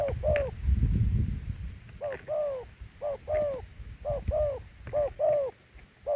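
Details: Big, handsome dove repeating a two-note coo of a short note and a longer falling note, about once a second. Low rumbling handling noise is heard at the start, and soft clicks run throughout.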